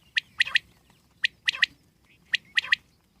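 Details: Crisp three-note phrase of a wild common quail, a single note followed by a quick pair, repeated three times roughly every second.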